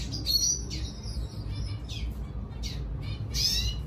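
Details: Singing red siskin luring a female, giving high chirps and short downward-swept notes spaced every half second or so against a low rumbling background.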